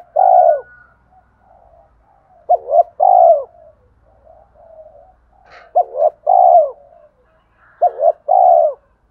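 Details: Repeated coo phrases of a spotted dove used to stir up other doves: paired short hoots and a long falling note, given roughly every two to three seconds, with quiet murmuring coos in the gaps.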